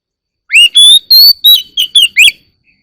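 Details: Morning song of an Oriental magpie-robin: seven crisp, high whistled notes, some rising and some wavering, given in a quick even series and then silence.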